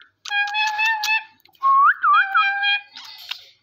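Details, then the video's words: Pet parrot talking with its owner indoors, producing clear whistled, tonal phrases with rising and wavering notes. Short pauses separate the phrases. "Parrot Talking with me"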